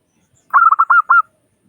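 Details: Local zebra dove in lively 'crystal' voice, used as a lure to prompt other doves to call: a single quick phrase of five soft, mellow cooing notes, each with a slight downward tail, in clean silence.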